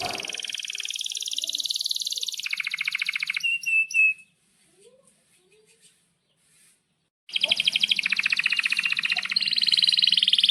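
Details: Canary in vigorous song for training young canaries to sing: a dense high rattling trill, a few thin whistles, about three seconds of near silence, then the rapid buzzy trill resumes against a faint low hum.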